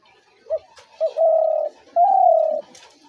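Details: Trap-lure call of a spotted dove: two brief soft notes, then two long, steady coos, the second slightly rising then falling, in a quiet setting.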